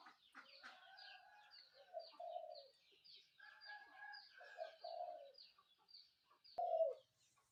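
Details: Spotted dove calling in the morning: low, hoarse coo phrases near the start and again around two and five seconds, with small birds chirping and twittering at higher pitch throughout.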